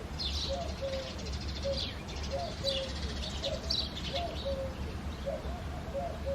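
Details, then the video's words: Eurasian collared dove cooing on an early foggy February morning: soft, low three-note coos repeated at a steady pace, with bright chirping and twittering from other birds and low background rumble. "Coo Dove - Dove Singing in the Foggy Morning"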